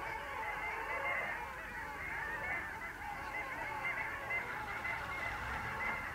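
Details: Winter flock of long-tailed ducks, Vistula mouth, 8 February 2013: constant overlapping yelping and nasal calls, with some clearer high-pitched notes standing out every second or so.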